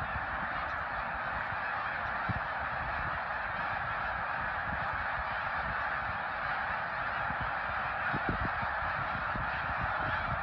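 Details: A vast gathering of snow geese at Middle Creek in 2022 keeps up an even, unbroken din of blended nasal calls, with scattered low knocks in the background.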